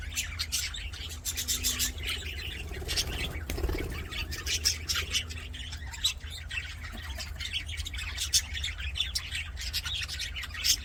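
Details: Budgies singing and playing in an aviary, a softer, continuous wash of fast chirps and scratchy warbles from many birds, with a brief low thump near the middle and a steady hum.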